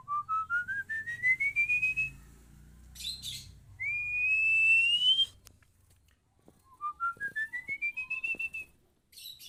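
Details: Female Oriental magpie-robin used in bird training: rising strings of rapid whistled notes alternate with a long, pure upward-sliding whistle, with brief noisy bursts between phrases.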